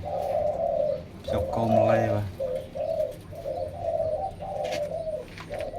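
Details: Zebra doves kept in numbers as captive breeding pairs give a steady run of short, soft, purring coos at mid pitch, bursts every half second or so, briefly overlapped by a man's voice near the start.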